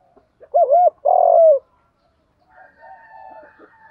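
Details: Morning luring call of a decoy spotted dove: two quick hooting notes followed by a long, slightly falling coo, then quieter faint calls from other birds in the background.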